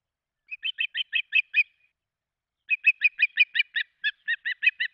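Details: Osprey at a nest in Charlo, Montana, 16 June 2024, as the male brings a large fish and the female feeds three chicks; two bursts of sharp, chirping whistled notes, about six then a dozen, in quick repetition.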